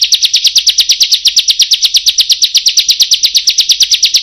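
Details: Bar-winged Prinia (ciblek) delivering an unbroken series of sharp, rasping kriek notes, about three per second, steady and evenly spaced throughout the four seconds with no other sounds.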